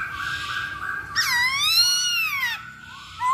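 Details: Masked laughingthrush, a lure to provoke singing: soft level whistling, then a loud, rich, drawn-out wailing note that rises and falls, followed by a short rising whistle.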